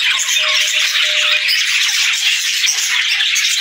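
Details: Morning sounds of a group of budgerigars: a thick, continuous chorus of bright chirping and chattering, with one thin, steady whistled tone held briefly in the lower background.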